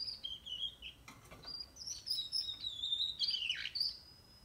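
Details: Juvenile canary, 44 days old, singing a quiet, continuous twittering warble of high slurred and trilled notes, with a short rustle near the start.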